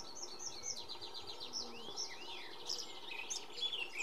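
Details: Iberian pied flycatcher singing, Sierra de Piedrahita, central Spain, 4 May 2014. A quick descending series of high clipped notes is followed by sweeping slurs, with other birds calling faintly around it.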